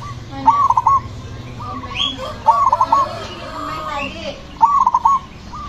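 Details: Zebra dove giving clipped, bubbly three-part coos about every two seconds, a softer trailing series between them from another dove, plus a brief higher chirp; the bird is praised as loud and aggressive, provoking rivals to sing.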